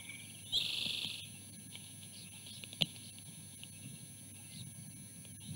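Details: Female osprey eating on the nest and refusing her mate a bite: a single shrill, high, rapidly pulsed chatter of about half a second, followed by faint background noise and a brief click.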